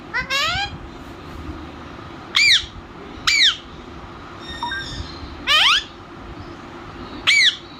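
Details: Pet talking parrot at home giving five loud harmonic squawks, each sweeping up then down, spaced about one to two seconds apart, with a faint low tone near the middle and a low room hum throughout.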